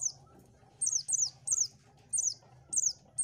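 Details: High, piercing Oriental white-eye notes, sounded to lure birds: paired downward-slurred chirps repeated about twice a second against a quiet low background hum.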